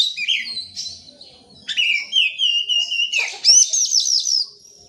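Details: Song of an oriental magpie-robin, used as a lure for birds that will not sing: scratchy notes, then a long drawn-out whistle and a bright trilled series of high phrases.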